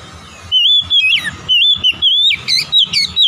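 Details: Rich, continuous whistled warbling of an Oriental magpie-robin, fluid notes that waver up and down, broken into quick phrases, with a faint low hum underneath.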